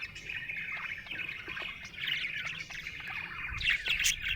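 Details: Steady chirping of a happy budgerigar: quick twittering, buzzy chatter and sharp chirps growing busier and louder in the second half, ending with bright high squeaks; faint low background noise.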